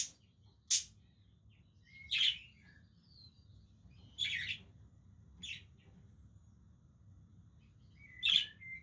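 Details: Pet budgerigars at play, uttering spaced single scratchy chirps and squawks roughly every one to two seconds, some with a brief whistled tail, with quiet gaps and low background hum between.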